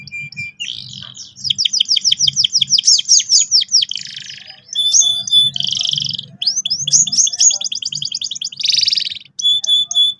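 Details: Strong canary song to teach juveniles a sharp roll: rapid ringing trills of repeated notes, harsh buzzy bursts, clear whistles and renewed fast trills, continuous and loud over faint low noise.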